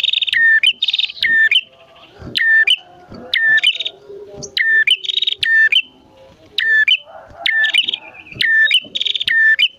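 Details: Energetic song of a male and female bar-winged prinia, meant to lure wild birds and stir caged ones to sing: repeated phrases of high rattling trills and lower whistled slurs, roughly one per second.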